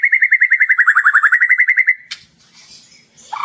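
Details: Actively singing white-rumped shama (murai batu) delivers an even trill of about twenty quick, regular notes that dip slightly in pitch and rise again over two seconds, followed by near silence and a faint final note.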